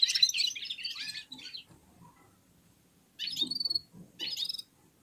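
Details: Red-fronted serins warming up, singing in unison with other birds: a burst of high rapid twittering, a pause of near silence, then two short bright jingling phrases.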